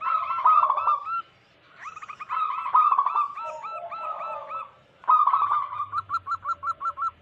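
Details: Several wild local zebra doves, in a lure recording for catching wild doves, give overlapping bursts of fast clipped coos. The bursts are separated by short gaps, and the last is a neat run of about eight evenly spaced notes.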